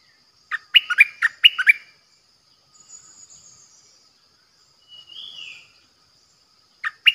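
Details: Decoy bulbul, recorded 8 May 2021: a quick phrase of about seven bright, warbling notes, a long pause with a soft, falling whistle, then another brief chirpy burst at the end.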